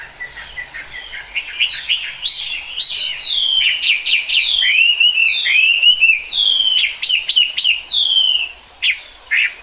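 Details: Chinese hwamei singing in the rain: a long, varied run of loud whistled phrases, with slurred rising and falling notes and quick repeated elements, pausing briefly near the end before two final bursts.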